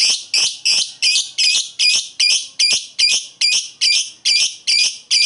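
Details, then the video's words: Repeated koek calls of a lovebird summoning a rival, meant to heighten other lovebirds' excitement: loud, harsh, high-pitched notes at a steady pace of about two and a half per second. "Lovebird koek memanggil lawan di iringi ngekek mantap untuk menaikkan emosi lobet lain"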